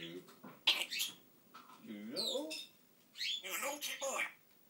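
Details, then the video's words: An African grey parrot kept as a pet talks in bursts of word-like sounds, mixing gliding rising and falling tones and sharp high whistled notes, with short silences between phrases. "African grey parrot Ronnie talking"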